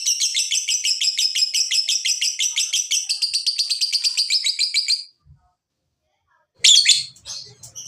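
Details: Lovebird ngekek, the long chattering song used to stimulate other lovebirds to sing: a rapid, steady run of high harsh chatter notes, about six per second, for five seconds, then silence and a short burst of squeaky chirps.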